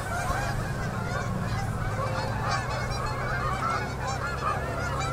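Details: Canada geese arriving in huge numbers on a Manitoba river at sunset during October 2018 fall migration; countless honks blend into an unbroken, clamorous din with a low droning hum beneath.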